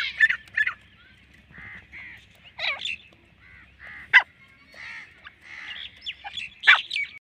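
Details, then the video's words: Female black francolin (kala teetar) giving irregular, separate harsh squawks and grating, honk-like notes, some rising or falling, spaced by short silences, with a faint low rumble beneath. "wait milki female sound Azad ghoomne wly teetar fricolian voice"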